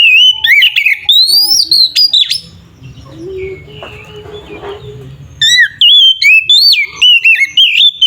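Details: Oriental magpie-robin singing fiercely as a lure to anger rival magpie-robins. Two bursts of loud whistled phrases with sharp upslurs and warbled twists bracket a quieter stretch of low rumbling background noise.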